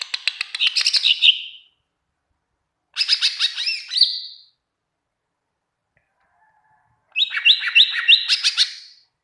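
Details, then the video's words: Caged greater green leafbird singing as a tutor for other birds, giving three short bursts of quick repeated chips and rising whistles, the last with a stepped series of upslurred notes, separated by silence. "masteran cucak ijo gacor pling cepat bikin burung cucak ijo nyaut"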